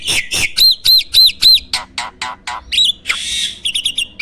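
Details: Loud, varied song of a champion contest starling, used as a training lure for songbirds: a quick series of repeated arched whistled notes, then harsh chattering notes and a rasping burst, followed by rapid clicks.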